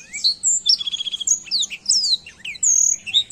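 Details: Black-throated canary in lively song for training other birds: rapid high whistles, a short rattling trill and sweeping slurred notes in quick succession.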